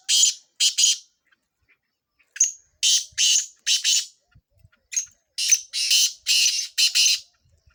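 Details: Kala tetar, the black francolin of Sindh, calling for chakree training. Harsh, grating notes come in short clusters of two, four and five with brief silences between.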